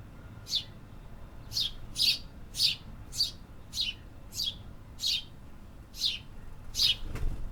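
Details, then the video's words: Urban bird song: a loud run of about ten bright, high chirps, roughly one every half second to second, over faint low background hum, ending with a soft thump. "Urban Birds Sound Effects"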